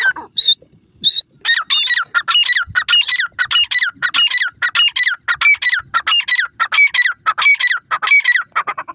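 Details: Grey francolin, male and female calling: after a few spaced opening notes, loud ringing, harmonic rising-and-falling calls follow in a rapid, steady series, roughly one and a half per second, with no other clear sounds.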